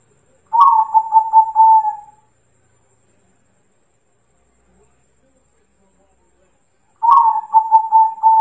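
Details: Two separate song phrases from a local zebra dove, recorded as training audio to coax other doves to respond: each a rapid string of throbbing coos on one pitch, lasting under two seconds, with silence between them.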